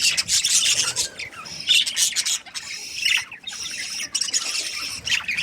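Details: Budgerigars chirping during breeding season, somewhat quieter and patchier: bursts of high squeaky chirps and short whistles separated by brief lulls, several birds calling.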